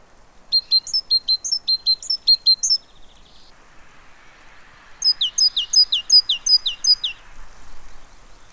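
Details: Great tit filmed at a fat ball feeder, Pellerey, France, on 3 March 2017: two long runs of rapid, ringing high-low two-note phrases, roughly ten per run, separated by a quiet gap with soft hiss.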